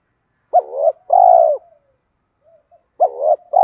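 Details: Cooing spotted dove used to push other doves into calling: a short wavering coo joined to a long steady coo, faint soft notes in the gap, then the pair starts again, loud and close.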